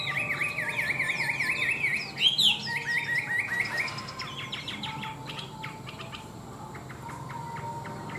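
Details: A tame caged Chinese hwamei pours out a fast repeated trill of even whistled notes, then a loud sweeping flourish and a string of sharp clipped notes that slowly fade.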